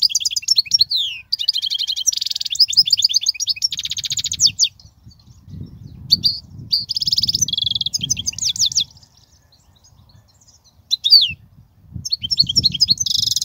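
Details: European goldfinch singing, played for teaching goldfinch chicks: long stretches of lively high-pitched twitter mixing liquid notes, buzzy rattles and fast trills, broken by a short pause, with faint low rumble underneath.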